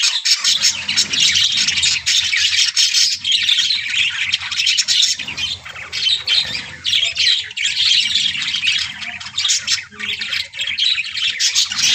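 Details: Colony of breeding budgerigars filling the air with a continuous loud chorus of squawks and chirps over a low background hum.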